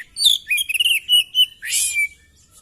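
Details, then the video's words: Oriental magpie-robin in fighting mood, tail spread open, delivering a rich rapid phrase: clear whistled notes gliding around a steady pitch, broken by quick stuttered chirps and ending in a harsh, rasping burst. "Burung kacer gacor!!kacer tarung buka ekor bongkar materi"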